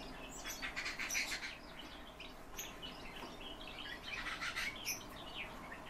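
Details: Song of a calandra lark: dense bursts of rapid, twittering chirps that come in two busy clusters separated by a brief quieter stretch of scattered notes.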